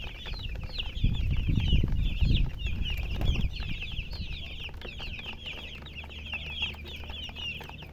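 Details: Colour chickens peep in a fast, overlapping chorus of high descending chirps, while loud low rumbling and handling noise fills the first few seconds.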